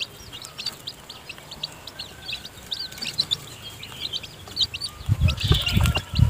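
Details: Newly hatched chicks in the nest keep up high, repeated peeps while the hen feeds them, with low thumping and rustling near the end.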